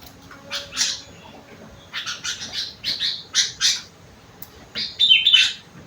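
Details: Sooty-headed bulbul singing rengganis and cucak wilis fill, a string of harsh squawky chirps repeated roughly every half second, ending in a brighter whistled flourish.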